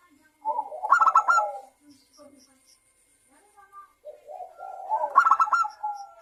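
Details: Zebra dove lure song to set other local and Bangkok zebra doves singing: two phrases, each a low rolling coo rising into a fast cluster of sharp, ringing notes, separated by a near-silent pause with faint background chirps.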